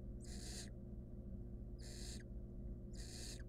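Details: Wild barn owl nestling in a monitored nest box, trying to eat a stolen rodent alone, gives harsh broadband hisses about half a second long, three in the clip roughly every 1.3 seconds, over a steady low hum.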